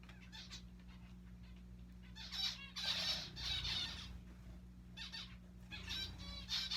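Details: Pet zebra finches playing in their owner's hair give bursts of nasal, buzzy calls in quick, irregular runs.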